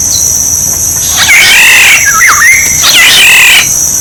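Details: Black-naped oriole decoy song: two mellow whistled phrases, the second dipping and rising in a liquid loop, against a steady high electric-sounding buzz.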